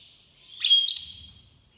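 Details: Goldfinch major from Iran, breeding season 2022, gives one brief swelling phrase of high, ringing twittered notes.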